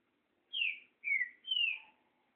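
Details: Great thrush, trinca-ferro, singing three bright descending whistles about half a second apart, with a soft lower tone under the last phrase.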